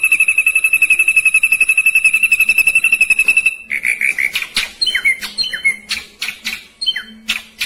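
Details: Ashy drongo song: a long, fast, steady trill of evenly spaced pulses, then a varied run of sharp, downslurred whistles and harsh notes.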